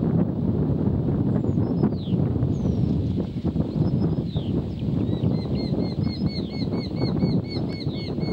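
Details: Pair of Eurasian hobbies at the nest: a few thin slurred calls, then a rapid series of sharp, evenly repeated arched notes in the second half, over a heavy low rumble of wind throughout.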